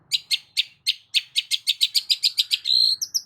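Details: Lure song of a long-tailed shrike for prompting a silent bird: rapid, accelerating series of harsh high chattering notes, about three to four per second, ending in a sustained note and brief rising whistles.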